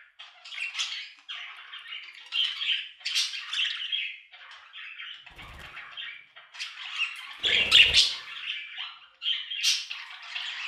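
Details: Budgerigars chattering in rapid bursts of scratchy warbles and squawks separated by short pauses, with a brief low flutter or thump near the end, likely wing flapping or cage movement.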